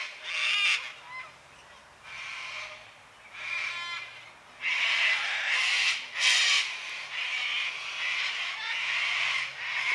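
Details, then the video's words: Several cockatoos making noise on a quiet Sunday afternoon, about 5 pm in daylight saving time: loud, harsh, grating squawks in separate bursts of one to two seconds, some with a nasal ringing edge, one overlapping another. "cockatoos making noise on a quiet sunday afternoon"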